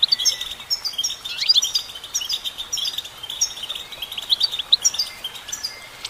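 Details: Female goldfinch singing a steady, busy twitter of high, thin chirps and buzzy trills with occasional brighter sharp notes throughout.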